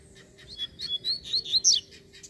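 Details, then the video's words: Free-flying Double-collared Seedeater (coleiro) appearing and singing in Brazil: a quick string of high whistled and slurred notes, rising and falling, delivered in one short continuous phrase over a low steady hum. "QUANDO O COLEIRO SOLTO FIBRADO APARECE!!!"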